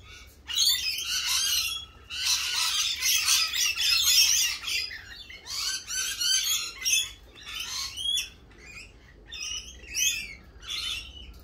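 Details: Lorikeets in spring: a dense chorus of harsh, grating screeches overlapping in long bursts, loudest between two and five seconds, then breaking into shorter separate squawks; faint low rumble underneath.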